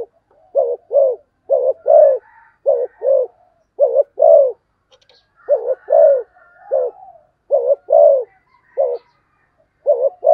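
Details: Spotted dove with rapid 'thúc gù tốc độ' cooing: quick double coos repeated over and over, each a short note followed by a longer mellow one, with faint soft calls in the background.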